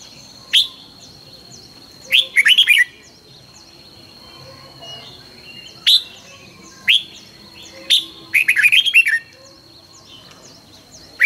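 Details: Red-whiskered bulbul morning song for training: single sharp chirps alternating with short rapid warbled bursts, about six phrases over eleven seconds, against a faint steady high whine.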